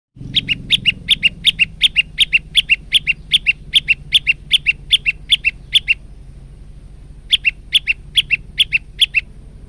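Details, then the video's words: Male prinia singing on a training recording, a fast string of sharp high chirps about three per second, pausing briefly before resuming, over a steady low hum. "masteran burung prenjak lumut jantan"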